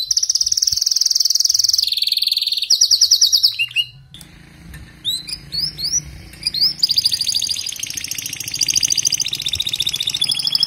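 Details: Singing canary: a loud, buzzy high trill drops in pitch, then gives way to a quick staccato rattle, a quieter stretch of separate upward-curving notes, and a renewed bright rolling trill.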